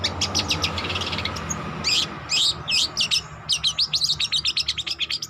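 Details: Young long-tailed shrike learning to sing: soft scratchy chatter at first, then loud bursts of varied squeaky, buzzy notes and fast rattling trills, with a faint steady electrical hum behind.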